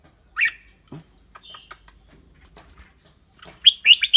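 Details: Caged red-whiskered bulbul with a clear voice, both singing and giving rik chatter: one bright note early, then a quick run of loud whistled notes at the end, with a man's low murmuring voice between.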